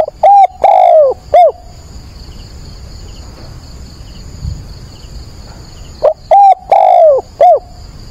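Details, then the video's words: On 22 October at dawn a decoy spotted dove calls to attract wild doves, giving two clear four-note coo phrases, each with a drawn, falling third note, separated by quiet insect hum. "Cu mồi gáy gọi"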